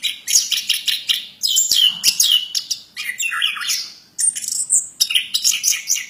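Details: Plontang bird singing a busy medley of rapid trills, clicks and high whistles, dense and fast, with one short pause midway before the chattering resumes.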